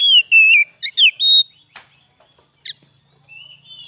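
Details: An Oriental magpie-robin sings, in a recording used to lure wild birds in the forest and excite kacer. Loud, clear whistles slide downward, followed by quick varied notes, a pause with faint clicks, then a soft rising whistle.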